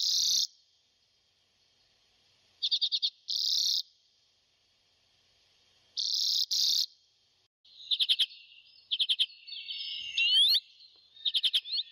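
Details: Arctic redpoll giving short bursts of buzzy, rapidly stuttered notes, some broken into quick clipped pulses, separated by silent gaps; toward the end, faster chattering series with a few sharply rising slurred notes.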